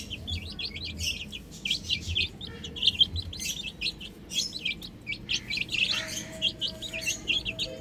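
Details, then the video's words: Chicks on a roof keep up a constant chorus of thin, upward-flicking peeps, densely packed, with a steady tone entering near the end. "Adorable Chicks Chirping Sounds"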